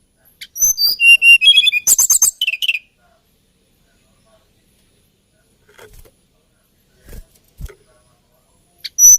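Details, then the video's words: Hill blue flycatcher from Java or Kalimantan delivering a brief burst of high, varied whistles and trills in its lilting style, followed by long quiet with a few soft knocks and a fresh note at the end. "TLEDEKAN GUNUNG KICAU MERDU"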